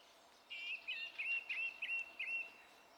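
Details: Song thrush song from 27 April 2016, a bright, ringing note repeated about six times in a rapid series, each with a quick upward flick.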